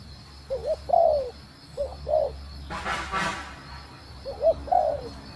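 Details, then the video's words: Female spotted dove calling to stimulate the male, giving paired coos, short note then a longer falling coo, interrupted midway by a brief burst of broadband rustling noise. "Cu Gáy Mái Thúc Gù Kích Trống Ức Chế | Tiếng Chim Cu Mái Gáy"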